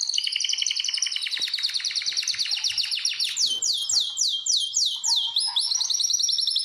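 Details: Canaries singing in a breeding room set up for pairing and mating: a dense, rapid trill of high repeated notes shifting into a series of quick descending sweeps, continuous and loud, with faint room noises beneath.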